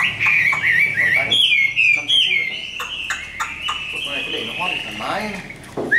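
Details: Tame hand-raised Chinese hwamei singing fighting song: bright whistled phrases and quick trills, later fainter song mixed with human voices and clicking sounds.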